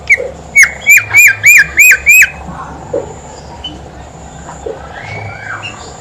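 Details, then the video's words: Horsfield's babbler in full song, used as a lure to coax reluctant babblers into singing: six loud, clear whistled notes, each a sharp upswept slur, repeated evenly about three per second, then a quiet hissy background with faint distant chirps. "BIMOLI/KANCILAN EMAS GACOR COCOK BUAT PANCINGAN BIMOLI MALAS BUNYI"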